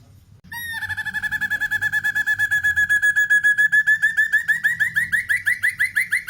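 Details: Tutor recording of a black-and-red broadbill for training songbirds. After a brief pause, a fast run of rich, even notes begins and gradually turns into quick, rising slurred notes, growing louder and more clipped toward the end.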